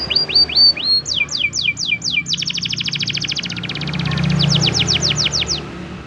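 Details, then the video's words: Spanish Timbrado canary singing a training song in the morning: series of rapid descending whistled notes, then a fast metallic trill and more swept notes, with a low hum underneath. "the best canary training song in the morning! make your canary sing |spanish timbrado"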